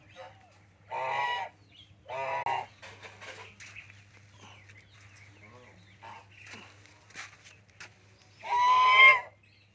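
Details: African gander on a goose farm giving two short harsh honks, then quiet clucks and rustling, and a final loud drawn-out honk near the end; steady low hum throughout.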